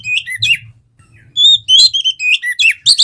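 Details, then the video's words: Oriental magpie-robin known locally as kacer, singing to spur other birds: scattered chirps, a pause, then a loud run of bright whistled notes and fast slurred trills; soft low rumble underneath. "PANCINGAN KACER GACOR MALES BUNYI"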